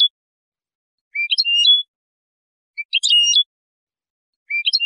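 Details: European goldfinch, clean-style song, heard as three short, bright chirped phrases with quick trills, spaced about one and a half seconds apart against a silent background.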